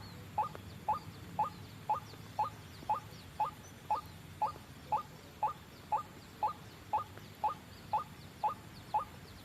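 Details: Lure call of the white-breasted waterhen for trapping: a long, metronome-steady series of short rising notes, about two each second, over quiet low background noise.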